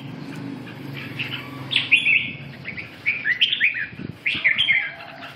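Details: Lively red-whiskered bulbul song: quick runs of high, warbling chirps in three or four bursts, separated by brief pauses.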